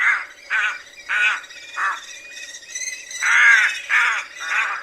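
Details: Rook giving a loud, hoarse graznido: harsh grating caws, about seven, repeated irregularly over five seconds, each a raspy burst, with a faint steady hum behind.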